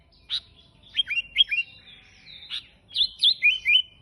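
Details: Sooty-headed bulbul in full vigorous song, an odd but striking style used as a lure and tutor for other bulbuls: a sharp opening note, scattered downslurred whistles, a faint buzzy pause, then four quick liquid notes.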